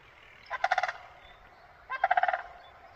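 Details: Crane calling in spring in a northern mountain setting: two short, rattling, pulsed bursts of harsh mid-pitched notes about a second and a half apart, over a quiet background.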